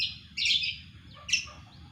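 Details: A cucak kombo gives two brief, bright notes: a rich warbled burst, then after a short pause a sharper, clearer whistle, over a quiet low hum.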